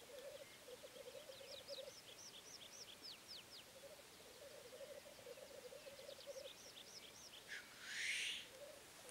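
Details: Black grouse: a steady low bubbling, cooing murmur runs through the recording. Near the end comes one loud, harsh hissing sneeze. Thin, high descending trills from other small birds repeat in the background.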